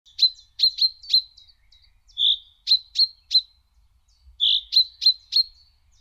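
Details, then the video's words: Common chaffinch giving sharp, metallic high notes in quick bursts of three or four, with two softer, hoarser notes between the bursts. "The Chaffinch's Enthusiastic Call"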